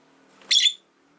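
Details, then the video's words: One harsh, shrill chirp from a caged pet rosy-faced lovebird rises over a low background hum of a household by a window. "Lovebird Chirping Sounds"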